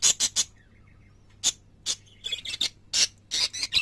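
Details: Loud, busy parakeet chatter: rapid bright chirps and buzzy notes in fast bursts, with a short quiet gap early on.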